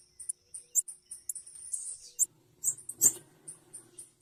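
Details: Female blue-black grassquit calling: thin, very high squeaky chips repeated rapidly in uneven bursts, with a brief sharp click near the middle and a faint low hum underneath.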